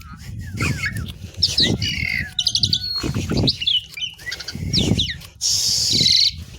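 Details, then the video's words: Jalak suren (Asian pied myna) mixing chattering squeaks, a long steady whistle and harsh rasps, amid rustling and fluttering noises close by. "THE BEAUTIFUL SOUND OF ASIAN PIED MYNA, JALAK SUREN GACOR"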